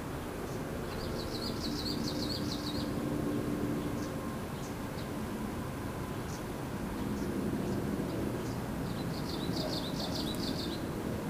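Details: Japanese leaf warbler newly arrived on migration in an urban park, 24 May 2013, gives two short bursts of high, rapid, buzzy chirping notes about eight seconds apart, over a steady low rumble of traffic.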